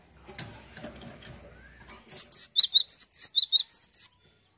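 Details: Cinereous tit, known locally as gelatik batu, in full song, a fast run of about ten sharp high whistled notes alternating wavy trills and short down-slurred chips, following two seconds of faint background rustle and low noise.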